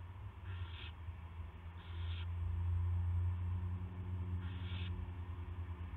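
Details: 2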